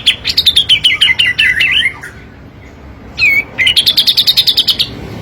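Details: Cream-vented bulbul song used as a lure for training caged birds: fast, bright chattering notes sliding downward, a pause, then a rapid run of repeated high chirps.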